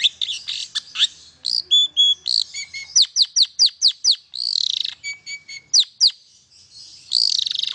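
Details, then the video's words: Long-tailed shrike song for stimulating silent shrikes: mixed phrases of harsh chatter, clear level whistles and a rapid run of sharp repeated ticks, ending with a buzzy rattle. "KICAU INI AMPUH MERANGSANG CENDET BISU JADI GACOR"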